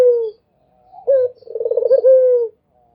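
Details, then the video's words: Barbary dove cooing: the tail of one falling coo, then a brief rising note and a purring, pulsed coo ending in a smooth drawn-out descending tone; quiet background. "SUARA ANGGUNGAN BURUNG PUTER !! GACOR TIADA HENTI ll SUARA BURUNG PUTER MERDU"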